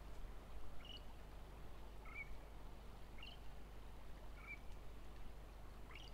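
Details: A Northern shrike singing, giving short, clipped chirping notes roughly one every second, over a steady low rumble.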